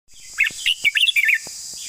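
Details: Red-whiskered bulbul singing a quick run of bubbly, chortling notes, rising and falling, over a steady high insect hum.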